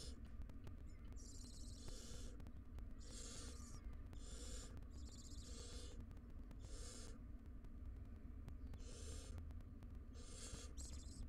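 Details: Wild barn owl family at a monitored nest box, two adults and three young; repeated harsh hissing screeches, each about a second long, several in succession, over a steady low hum.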